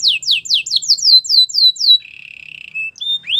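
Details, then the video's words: Belgian canary in training song: about ten loud descending slurred notes in quick succession, then a soft lower buzzing tour and a few rising whistles. "Canary singing for training | Belgian canary"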